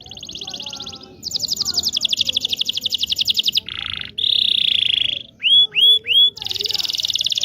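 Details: Local Indonesian canary song for training young birds: fast high trills, a lower rolled buzz, a steady high trill, three looping whistled notes, then more rapid trilling.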